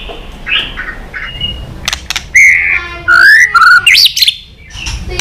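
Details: White-rumped shama in competition singing, tail-flicking and fired up, mixing forest-style phrases: softer opening notes, then loud pure whistled phrases, one rich and sliding, with brief sharp clicks between.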